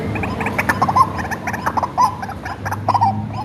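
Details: White-breasted waterhen, hand-reared bird used as a lure call: rapid series of harsh, clipped notes with short whistled accents near the middle range, bursts repeating roughly once a second, low hum underneath.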